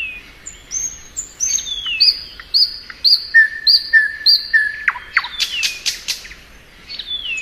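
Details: Thrush nightingale singing in spring: high thin whistles, a run of five bright repeated high notes, lower full whistles, then loud harsh rasping bursts.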